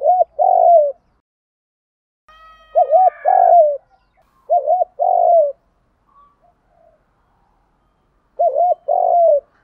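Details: Spotted doves of both sexes cooing to provoke trained birds into calling: spaced phrases of a quick double-dipped note and a longer falling coo, with a faint higher whistle once.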